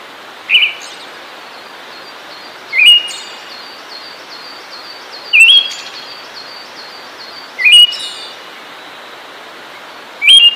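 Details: Siberian thrush singing: five brief whistled phrases with a stepped rise and faint trailing twitter, repeated roughly every two and a half seconds over soft background hiss.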